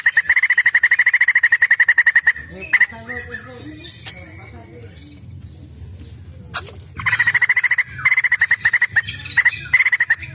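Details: White-crested laughingthrush singing, played as a lure to get other birds singing; long bursts of rapid, loud, staccato chattering notes alternate with a quieter stretch of varied gurgling and squeaky phrases.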